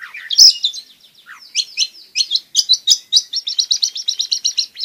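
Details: Long-tailed shrike singing busily, gacor style, a recording meant to prompt reluctant shrikes to sing: a loud opening squeal and descending slurs, then a quickening string of high, clipped chirps.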